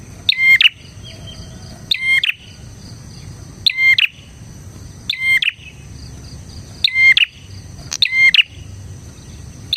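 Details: Bar-winged prinia in lively song, a recording used to train and attract other prinias: repeated loud chattering bursts roughly every one and a half seconds, each with a clear whistle, over a faint constant drone.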